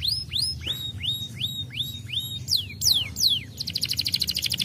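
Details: Starblue canary song meant to prompt reluctant birds to sing, opening with a run of repeated upslurred whistles, then steep descending sweeps and ending in a rapid buzzy high trill.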